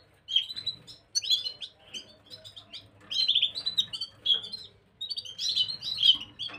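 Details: Gloster canary, 9 January 2023: bursts of rapid high chirping and warbling phrases separated by short pauses, with a steady low background hum.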